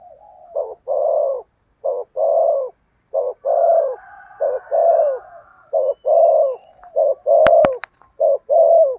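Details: Decoy spotted dove cooing vigorously to lure wild doves, a steady run of short and long burring coos about once a second, softer overlapping coos behind and two sharp clicks near the end.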